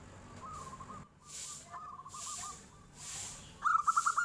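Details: Local zebra dove singing in the flute-like 'nyuling' style, answering as a tofu seller passes: soft cooing phrases of quick stuttered notes, then a louder, brighter trilled burst at the end over steady background hiss.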